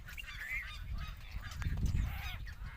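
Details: Intermediate egrets feeding their chicks give harsh, honking squawks in short bursts over a steady low rumble of wind or handling noise.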